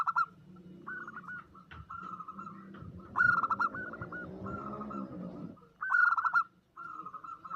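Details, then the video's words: Zebra dove female calling to attract a male, used as a lure: repeated stuttering coos and two loud rapid-note bursts, partly masked midway by a low droning noise, then softer trailing notes. "suara pancingan perkutut omyokan"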